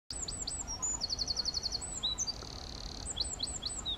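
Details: Wren calling at RSPB Lakenheath: very high, rapid trills and sharp ticking notes in quick runs, with a drawn-out buzzy trill in the middle, over a low background hiss.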